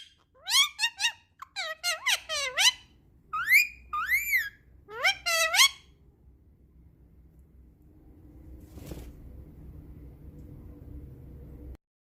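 Ringneck parrot talking: a quick run of squeaky, high, speech-like phrases with sliding pitch for about six seconds, then only a low room hum.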